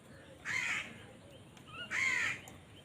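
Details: Two harsh, broad caws from crows fighting for food, one and a half seconds apart, with a short fainter call just before the second.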